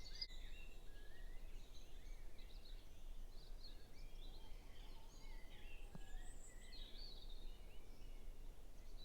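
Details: May Day dawn chorus recorded on a phone at about 4:30am in a Norfolk cottage back garden in north-east England, before the 5:20am sunrise: several songbirds, led by a blackbird, sing overlapping high warbles and whistled phrases over a steady low rumble.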